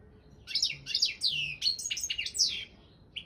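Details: Goldfinch of subspecies balcanica in a song competition, giving a quick tumbling series of sweet chirps and down-slurred twitters, ending with a short rising note after a pause.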